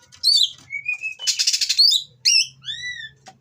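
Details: Mating Oriental magpie-robin singing harsh material meant to provoke rivals: clear whistled notes, a level pure tone, then a loud raspy buzzing burst followed by arched, descending whistles, with a faint low hum beneath.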